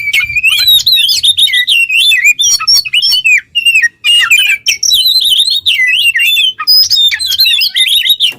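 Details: Oriental magpie-robin in 'ngobra' singing used to train songbirds, long strings of bubbling, warbling whistles and rapid trills with short pauses, loud and close.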